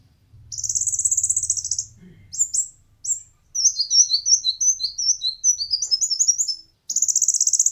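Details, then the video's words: Song of an olive-backed sunbird (konin), given as training material for competition birds: a rapid buzzy high trill, a few slurred notes, a long stream of quick twittering notes, then the trill again, with a faint low hum. "konin materi burung lomba cocok untuk masteran dan pancingan burung kesayangan"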